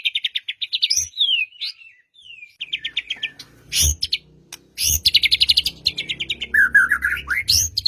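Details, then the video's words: Lure song of a white-rumped shama for getting a silent bird to sing: fast high rattling trills alternate with clear slurred whistles, punctuated by sharp clicks and low thuds, ending in a rising whistled flourish. "Murai Batu Diam Dengar Kicauan ini Seketika Langsung Nyaut GACOR"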